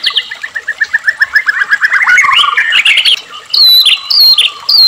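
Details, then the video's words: A vigorous white-rumped shama, played to make caged shamas sing: a rapid, accelerating chain of chattering notes flowing into clear, high whistled phrases repeated at the close. "murai batu gacor AMPUH buat PANCINGAN murai agar RAJIN bunyi"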